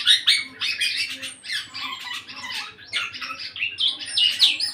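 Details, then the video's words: An eight-month-old black-naped oriole beginning full song: high, scratchy phrases with short slurred whistles, coming in uneven bursts separated by brief gaps. "burung kepodang usia delapan bulan udah mulai gacor"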